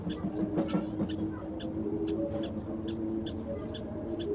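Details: A few sparrows feeding at sunrise: short, sharp chirps repeated roughly every half second over a steady low hum, with a few louder notes near the start.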